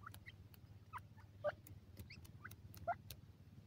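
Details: Grey francolin (dakhni teetar) chicks calling: soft, short chirps and peeps, scattered irregularly about once every second or two, two slightly louder notes standing out, over a steady low hum and faint ticking clicks.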